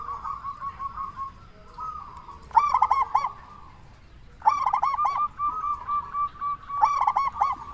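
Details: Local zebra dove calling loudly, used to lure other zebra doves into answering: bursts of quick, rolling, bubbly coos near two and a half, four and a half and seven seconds, over a steady, thin, tonal background hum.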